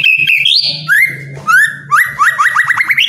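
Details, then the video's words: White-rumped shama in captivity sings to prompt lazy birds: loud sliding whistles rise and fall, ending in a rapid series of short upswept whistled notes, over a steady low hum. "MURAI MALES BUNYI..JADI GACOR PLONG"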